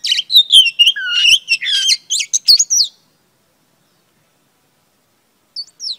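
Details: Female oriental magpie-robin singing to excite males: a three-second burst of rapid varied whistles and scratchy notes, then silence, ending with two brief high chirps.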